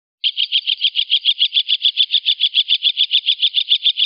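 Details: Long-tailed shrike, a prolific 'gacor' singer used for luring birds, giving a fast, even series of harsh high notes, about three and a half per second, held steadily for four seconds against a silent background.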